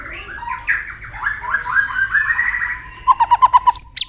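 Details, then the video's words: White-rumped shama singing competitively, provoked against rivals: a run of warbled, slurred phrases around mid pitch, then a rapid series of loud repeated notes, ending in high whistled notes. "kích lửa cho chòe lửa căng lửa. chòe lửa tạch đập liên tục"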